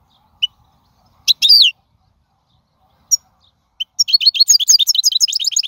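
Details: Wild European goldfinch singing, recorded for teaching fledglings: scattered sharp high notes and a short buzzy phrase, then a fast run of tinkling, rhythmic twitters in the last two seconds.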